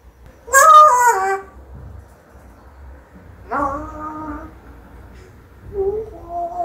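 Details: Talented pet parrot at home producing three voice-like wailing utterances: a loud falling cry, then a steady drawn-out note, then a quieter rising phrase, with faint room hum between.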